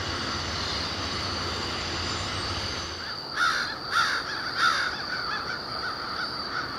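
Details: Crows staging near a winter overnight roost just after sunset on October 21, 2021, flying around low warehouse buildings; three harsh caws come about half a second apart after a low rumble, over a steady high-pitched hum.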